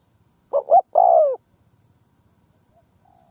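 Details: Spotted dove decoy in a field in Vietnam, calling to lure wild doves: one phrase of two quick coos and a long falling coo, then a faint low note.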